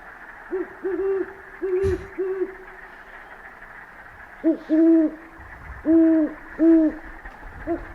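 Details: Two Great Horned Owls, likely a male and a female, hoot in two stuttering series of four or five, one voice noticeably higher, perhaps from excitement or a coming territory dispute, over a steady faint hiss.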